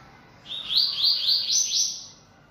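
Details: Yellow-bellied seedeater (coleiro-baiano), a bold, caged bird singing steadily: one high phrase of about one and a half seconds made of quick repeated slurred notes ending in a sustained buzzy trill, over a quiet low hum.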